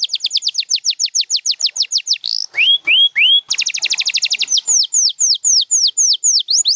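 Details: Canary singing a loud, fast run of high descending whistles, a brief buzzy note, three slower swooping phrases, then a very rapid trill followed by evenly spaced falling whistles.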